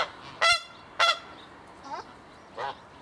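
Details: Swan geese, a pair kept in an open enclosure: two loud, strident honks half a second apart, each with a rich buzzy overtone stack, followed by two quieter, shorter honks, with a person laughing afterwards.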